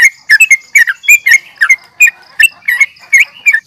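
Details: Yellow-vented bulbul giving an aggressive fighting call to stir rival birds: hurried, irregular chatter of bright notes, some doubled, sharp and slightly squawky.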